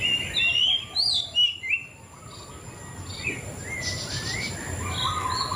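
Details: White-rumped shama pouring out a quick burst of whistled, slurred notes in the first two seconds, then quieter scattered whistles over persistent background hiss.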